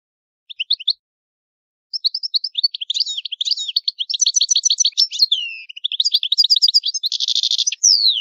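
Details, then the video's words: Italian goldfinch delivering its old song: a few opening chirps, then an unbroken stream of tinkling twitters, rapid trills, a falling whistle and a dense buzzing rattle near the end. "Il canto del cardellino italiano ,il vecchia canto"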